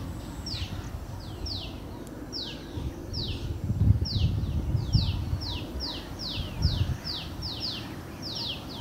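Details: Four newly hatched White-breasted Waterhen chicks, running behind their mother through flower beds and dry leaves at an orchard in Delhi, give high, thin, down-slurred peeps, two or three a second, over a steady low rumble.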